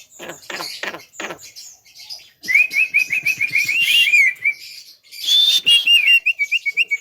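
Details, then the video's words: Javan myna (jalak kebo) singing: rapid bursts of harsh, scratchy chatter notes repeated in quick rhythmic runs, broken by thin, high, wavering whistled trills and a brief pause before a final series of clipped, evenly spaced notes. "BURUNG JALAK KEBO TERGACOR SLALU MEMIKAT PERHATIAN"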